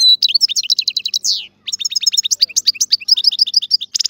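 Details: European goldfinch singing a dense, cheerful twitter. Rapid repeated chirps and a buzzy downslurred note come first, followed after a short pause by long runs of bright, varied trills.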